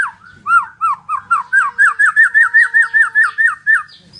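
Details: Medan-type white-rumped shama in energetic song, giving a steady series of about fourteen clear slurred whistled notes, each dipping then rising, delivered about four per second against a quiet background.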